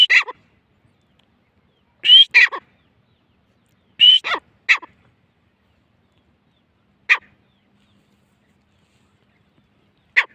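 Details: Grey francolin, known locally as teetar, at Layyah: loud scratchy paired notes, a shrill squealing note followed by a coarse falling rasp, repeated about every two seconds, then tailing off into single harsh notes spaced further apart.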